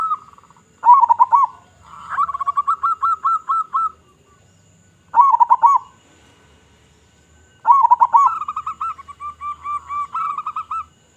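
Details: Local zebra dove with a big, loud voice, cooing as a lure for other zebra doves: mellow low coo phrases, each a rolling burst followed by a run of evenly spaced soft purring notes, repeated four times.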